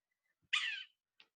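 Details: A Yellow-bellied Sapsucker (Sphyrapicus varius), a wintering bird leaving South Carolina in spring but still heard in the mountains, gives one harsh, nasal, squealing mew of about a third of a second, like a squeaky cat, then a faint tick.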